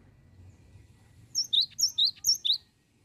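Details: Cinereous tit giving its "bocor" song, used as a lure. Five crisp two-note phrases, each a sharp high note falling to a lower whistle, come in a rapid, even series after a second of quiet low hum.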